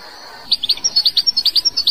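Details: European goldfinch of the Algerian type singing a quick, steady series of clipped, bright high notes, about eight per second, against soft hiss.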